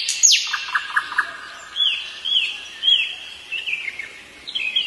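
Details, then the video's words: Common nightingale singing in the evening. A sharp downward sweep and a few quick clicks lead into a series of slurred whistled notes falling in pitch, roughly two each second, over steady background noise. "The nightingale's call in the evening is so beautiful"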